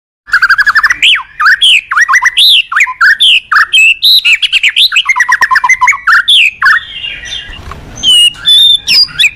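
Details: White-rumped shama singing in the morning, a cage bird used as a lure to prompt other birds: fast, varied stream of whistled slurs and chattering notes, rising and falling, densely packed with hardly a pause.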